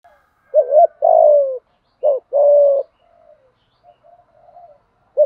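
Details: Spotted dove fighting coo, intended to provoke other doves and teach decoy birds to sing. Two phrases each pair a quick doubled note with a sustained low coo, followed by faint soft murmurs.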